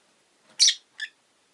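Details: Rosy-faced lovebird kept as a pet giving two quick, bright chirps: a loud harsh one followed by a shorter, softer note, in a quiet setting.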